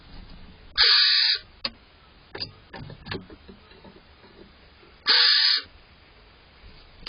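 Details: Barn owl pair on 5 April 2023, male bringing prey to the female around first light. Two short, breathy hissing screeches about four seconds apart, with faint scratching and tapping sounds between them.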